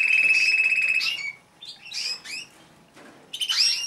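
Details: White canary singing to court a female and begin breeding: a sustained high trill, then short pauses and bursts of rapid chirpy, buzzy phrases, with quiet gaps between.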